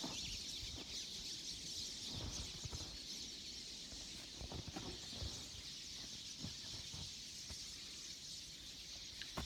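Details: A mixed flock of pine siskins and a few goldfinches waiting at feeders by a lake at Big Bay de Noc, Michigan, in mild late winter, makes steady high wheezy twittering, with low thumps and rustling from wind and handling.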